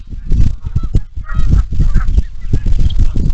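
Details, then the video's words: Flock of geese with ducks on a morning marsh at Iroquois National Wildlife Refuge, heard through a Bald Eagle camera: brief overlapping honks, clearest around the middle, against a steady thick low rumble. "INWR-Morning sounds of the marsh geese and ducks"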